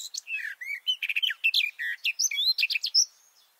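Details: Singing male garden warbler, captured close up from a shelter tent with microphones placed under the bush about two meters below: a brisk, melodious warbling phrase of varied slurred notes ending in a thin whistle.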